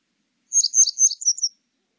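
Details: Grey wagtail, recorded in 2020 for a national biological resources archive: a quick string of about six high, sharp chirps, the first three fuller and the last three thinner and quicker, in clean silence.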